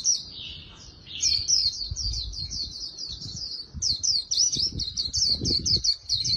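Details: Oriental white-eye in fast 'líu đấu' song, used for voice training, said to carry a magpie-robin-like voice: a long, unbroken run of high, quick-twittering chirps and slurred whistles, with faint low rumbling beneath.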